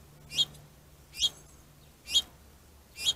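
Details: Finch fighting over plentiful food, territorial aggression; four sharp high chip calls spaced roughly one second apart over a faint low hum.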